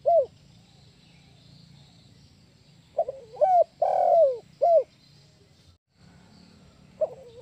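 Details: Lure call of a spotted dove for trapping, giving several low, hoarse coos in a broken phrase, some rising then falling, the middle note long and full, then a pause and one more coo; faint background hum.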